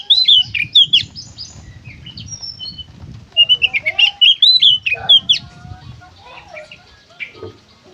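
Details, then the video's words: Oriental magpie-robin, called kacer, singing gacor konslet: two loud bursts of quick, sharp, varied whistled notes separated by quieter scattered calls. Low rustling noise runs underneath. "suara burung kacer gacor konslet"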